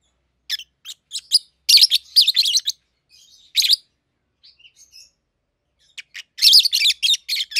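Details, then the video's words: Two young captive peach-faced lovebirds, a red-headed green opaline and a red-faced dark green aged 7-8 months, make scratchy chattering chirps: scattered single notes, then dense loud bursts near the start and end. "Peach-Faced Lovebird's Sounds"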